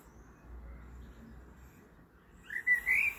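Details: Blackbird singing at 7:30 pm: one brief, clear fluted phrase with a rising, warbling turn, after more than two seconds of quiet low rumble.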